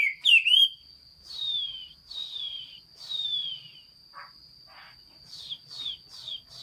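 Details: Chinese hwamei song in hót xuý style, 15.06.2021: a twisting opening phrase, then a few long, clear whistles gliding downward, a few soft short notes, and a final burst of quick descending notes over a steady high whine.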